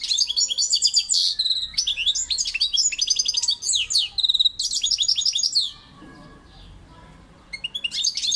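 A European goldfinch sings a fast, tinkling run of liquid twitters and buzzy trills, high-pitched and bright, pausing briefly before resuming.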